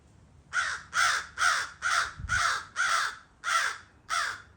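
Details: One of four wild American crows in a Florida backyard, back after months away and usually visiting every morning, gives a steady run of eight harsh, hoarse, even-pitched caws, about two a second, over a faint low thump.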